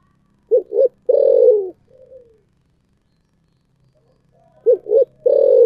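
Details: Spotted dove in thổ sấm voice style: two short notes then a long falling coo and a soft trailing note; after a silent pause the same phrase starts again.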